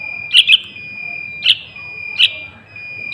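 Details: Three brief chirp bursts from a young sooty-headed bulbul, played as a lure for wild bulbuls, the first a double note, the others single, over a faint steady high tone.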